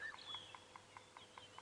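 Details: Bearded woodpecker drumming in the distance on a sunrise safari drive, 27 Oct 2016: even knocks about five per second, a territorial signal telling other bearded woodpeckers this is its territory; a brief whistle from another bird opens the clip.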